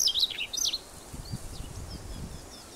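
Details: Male Siberian Rubythroat on Teuri Island, 28 April 2019, singing: a quick burst of high, loud, warbling whistled notes in the first second, then quiet with low rustling background noise.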